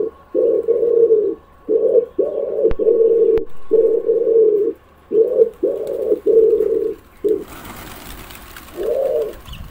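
A pigeon gives low, throaty coos in a steady run of soft rolling notes, each under a second, with brief rustling and a couple of sharp clicks.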